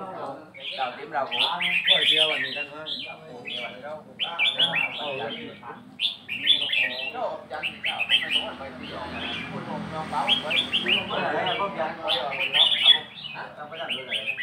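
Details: Sustained counted-phrase song of a red-whiskered bulbul: rapid, bubbly whistles and chirps repeated about three times a second in uneven bursts, over low background music.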